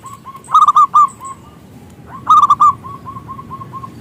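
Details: Lure song of a local zebra dove known for its loud voice. Two loud bursts of trilled, rolling coos, each trailing off into a line of softer, evenly spaced notes.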